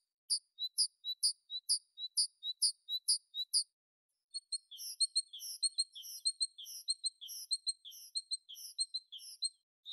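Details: Tit singing: a fast series of high, sharp paired notes repeated about twice a second, a short pause, then a busier run of thin chirping notes from what may be a second bird.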